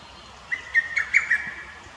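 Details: One brisk phrase of about five sharp, emphatic notes from a lesser cuckoo, recorded 21 May 2018 in a botanical garden in Akita City, Japan; a quiet background follows.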